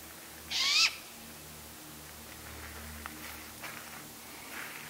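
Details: Juvenile great gray owl calling out to its parents, with its sibling heard in the background; one loud, harsh, hissing screech lasting about a third of a second, followed by fainter distant rasping calls.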